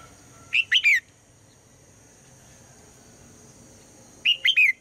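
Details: A female red-whiskered bulbul calls at dawn to get the male singing, giving a crisp triplet of whistled, down-curving notes, then a near-identical triplet after about three and a half seconds of quiet.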